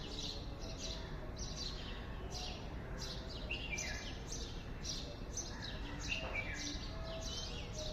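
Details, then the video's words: Morning birdsong: many quick, high, sharp chirps repeated close together, several birds overlapping, above a constant low rumbling background noise. "Morning Birds sound"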